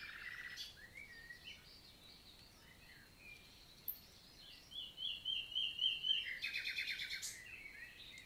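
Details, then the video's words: Nightingale morning song in a countryside forest in Lot, south of France, 11 June 2023: a short low trill, quiet varied notes, then a build of repeated chirps and a buzzy rattle in the second half. "NIGHTINGALE MORNING SONG"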